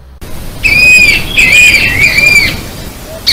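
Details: Narrow-billed Woodcreeper (arapaçu-do-cerrado), common in Brazil and often mistaken for a woodpecker, giving clear, high whistled notes in three drawn-out, slightly arched phrases about a second apart.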